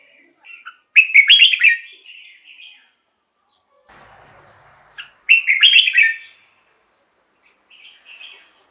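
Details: Red-whiskered bulbul song used as a decoy to attract wild birds and to rouse caged birds: two vigorous warbled phrases with soft short whistles around them and a brief burst of low rustling in between.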